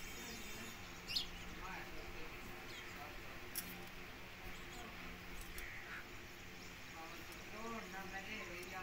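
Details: Pet Indian ringneck parakeet talking in front of a mirror: faint, speech-like voiced phrases with stacked harmonics, clearest near the end, over a steady low hum with a few sharp clicks and taps.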